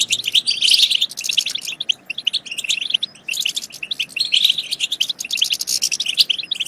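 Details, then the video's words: European goldfinch singing, a recording meant to excite goldfinches into song and mating: rapid tinkling twitters and buzzy trills in several bursts separated by short gaps. "بتبتات خرافية في تحفيز الحسون على التغريد"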